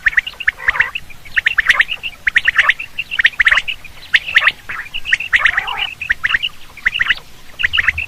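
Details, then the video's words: Quail sound used for hunting: steady stream of scratchy, chirping bursts at roughly one per second, each a cluster of quick rough notes. "batair hunting quail sound"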